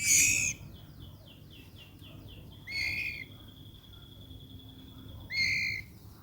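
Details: Red-eyed albino white-rumped shama sings a strong whistle, then a quick series of soft descending slurred notes, a sustained thin tone and two more loud clear whistles, with low hum beneath.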